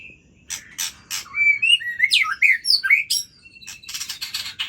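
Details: Midnight song of an Aceh-type white-rumped shama. It opens with a steady whistle, then moves into rapid rising and falling whistled slurs, and ends with a series of scratchy, chattering bursts.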